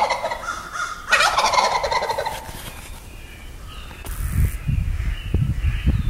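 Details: Close wild turkey gobble at dawn in the Wisconsin woods, one strong rolling gobble early, then soft rustling and low thumps as it fades.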